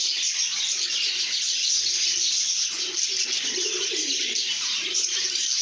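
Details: Happy lovebird chatter, singing and chirping: steady, crowded high-pitched twittering throughout, with quieter low coos appearing in the second half.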